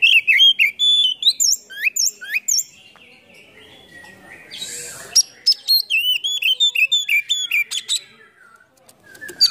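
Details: Oriental magpie-robin (kacer) with tail fanned in a cobra-like display, singing a full song packed with varied phrases: rapid high whistles, rising sweeps and clipped chips, broken by a brief softer, noisier gap midway.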